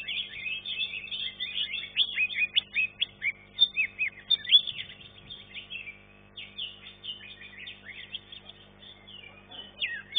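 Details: Green leafbird in competition, class 1 of a singing contest, ranked third: continuous streams of steeply falling whistled notes in rapid succession, a quieter stretch halfway, then renewed loud sweeping phrases.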